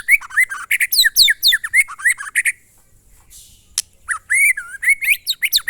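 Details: White-rumped shama of the style called monotonous or glondong, kept as a songbird; loud whistled phrases with rising and falling notes and sweeping high slurs, a short pause, then more varied whistles.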